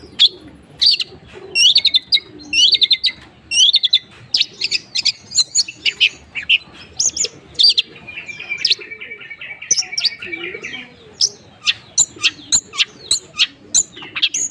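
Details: Long-tailed shrike delivering a long, rich song: rapid squeaky chirps and trills, a buzzy chattering stretch in the middle, then a steady series of sharp clicking notes repeated roughly twice a second.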